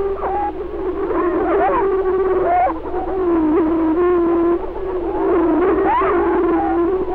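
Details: Greater prairie-chickens on a lek in Benton County, Missouri, filmed in 1948, territorial males calling and booming: a steady low hum overlaid with wavering whoops and cackles from several males, continuous throughout.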